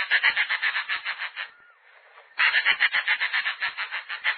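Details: Snail kite (Rostrhamus sociabilis) in Brazil giving a dry, rasping cackle, about four harsh notes a second in two bursts with a short pause between.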